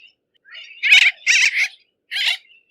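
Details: Bridled tern giving high, scratchy chattering notes: a soft lead-in, then two quick harsh bursts and a final rasp after a pause.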